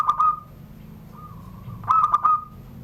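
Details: ['Kept zebra dove from Banten, Indonesia, voicing the Surung Gdor style coo under a door. A clipped phrase ends in a ringing note. A faint drawn note follows, then a second burst of rapid notes trails into a steady tone.']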